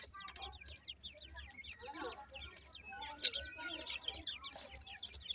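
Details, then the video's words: Small pheasant chicks at play, pursuing each other; rapid overlapping high peeps and tweets with softer lower chatter, a few louder sharp notes midway, and faint human voice in the background. "pheasant bird funy chicks r playing"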